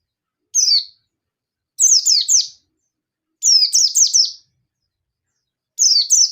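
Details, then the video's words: Oriental white-eye, local yellow-breasted type, singing fiercely to challenge an opponent: a lone thin downslurred note, then three rapid bursts of three or four piercing descending chirps, with silence between. "Pleci Ngalas Nembak Memanggil Lawan || Suara Burung Pleci Gacor Ngalas Nembak emosi"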